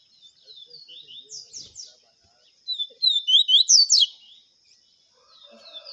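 A double-collared seedeater gives a quick, high, twittering phrase of slurred, descending notes that swells to a loud burst midway. A steady thin whine runs underneath.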